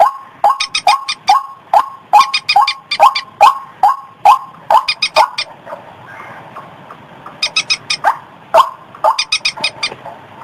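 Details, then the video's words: White-breasted waterhen lure recording, said to work in rice fields, gardens and streams: loud, hoarse notes repeated about twice per second, each with a sharp high click, running steadily before a brief pause and resuming. "suara pikat burung ruak-ruak"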